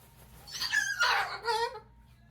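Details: Pet umbrella cockatoo in a small indoor room giving one loud, raspy, rising-then-falling scream lasting a little over a second, trailing off into quiet.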